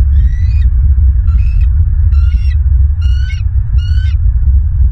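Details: Live nest-camera recording of bald eagles at the nest in Southwest Florida, 16 December 2022: five piercing, harmonic chirps spaced about one second apart, some bending upward, above a constant deep wind rumble.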